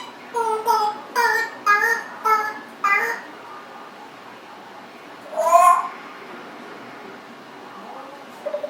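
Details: Pet Congo African grey parrot, 1.5 years old, babbles a string of six speech-like syllables, then after a pause one louder nasal, meow-like call in a quiet indoor room.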